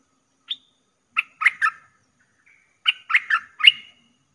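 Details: Caged Streak-eared bulbul used as a lure sound for trapping: one short sharp note, then three buzzy chirps, a gap, and another group of four rapid chattering notes ending in a brief whistle.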